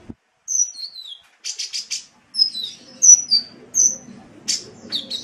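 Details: High-pitched sunbird song for training cage songbirds: thin descending whistles, a quick buzzy trill, then a series of sharp separate chirps about every half second.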